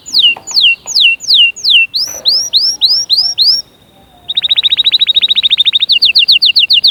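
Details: Canary song played to encourage chicks to sing and prepare females for breeding: loud high whistled notes falling in repeated series, then a brief pause and a fast rapid trill of clipped notes, ending in rising slurred whistles.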